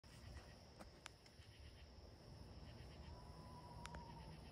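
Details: Screech owl in the woods giving one thin, steady whistled trill held at a single pitch for over a second, dipping slightly at the end, with a few sharp clicks and a constant low rumble behind.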